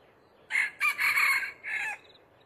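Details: A male red junglefowl perched in a tree crows while wild chickens are being trapped. One full, harsh, strained crow in four pulses: a short opening note, a brief gap, a long sustained middle, then a fading final syllable.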